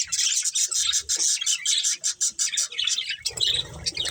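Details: Budgerigars of a breeding pair chirping in short, quick bursts roughly twice a second, high and raspy, with a rougher, lower-edged chatter toward the end.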